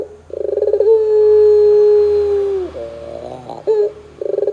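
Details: Puter pelung dove used as a lure so that doves sing: a quick stuttering pulse train swells into a long sustained low coo that falls away at the end, followed by rough notes and a fresh pulsed start.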